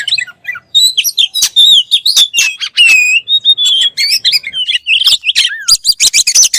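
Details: Energetic oriental magpie-robin (kacer) song: a dense chain of bright, bending whistles, harsh chips and short trilled bursts, delivered quickly with few pauses.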